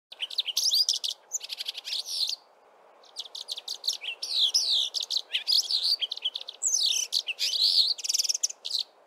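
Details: Male Brimstone Canary singing a melodious song from a treetop in early spring: rapid varied phrases of high sweet whistles, trills and slurred notes, with a brief pause midway before the warbling resumes.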